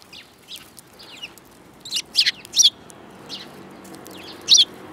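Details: Sparrows recorded in March 2018, one described as spirited: short, sharp high chirps in small bursts, a tight cluster near the middle and a lone note near the end, over faint background hiss.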